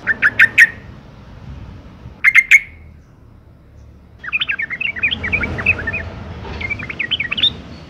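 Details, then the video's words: Female sooty-headed bulbul in breeding condition, her call meant to coax males into song. Two bursts of harsh, rapid chatter open the recording, then a steady stream of bubbly, liquid whistled notes rising and falling follows. "suara panggilan burung trucuk betina gacor birahi"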